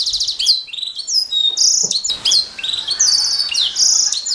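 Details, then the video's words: Canary singing for a songbird-training master recording, dense high chattering trills and long buzzy rolls alternating with clear downslurred whistles, plus a soft low thud near two seconds. "Suara Burung Kenari | Gacor 17"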